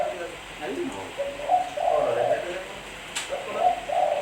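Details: Tekukur, the spotted dove, gives mellow, hollow coos, one drawn-out phrase midway and another near the end, over a cluttered background of voices and indoor-sounding noise.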